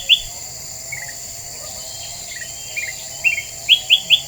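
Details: Black-winged bulbul lure song of short whistled chirps in small groups, ending with three loud bright notes about a quarter second apart, over a steady high insect whine.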